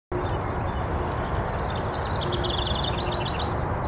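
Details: House wren singing while preening: a fast, bubbling run of high, chattering notes for about two seconds over a steady, loud low rumble of wind or traffic.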